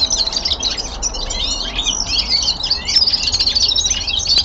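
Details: A young male common linnet kept indoors delivers a fast, unbroken warble of twitters, buzzy trills and thin high whistles, notes tumbling over one another for the whole stretch.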